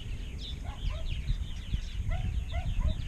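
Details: Purple martins calling at a large colony in Rainsville, Alabama, with 920-930 pairs in 2016. Clear slurred, gurgling notes repeat in quick bursts among a background of crowded chirping and low rumble.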